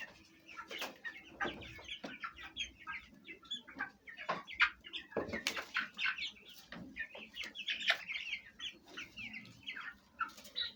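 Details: Fayumi chickens of Egyptian origin kept at home, hens and big chicks eating and fighting; dense stream of high chirping peeps with sharp knocks and scratching throughout.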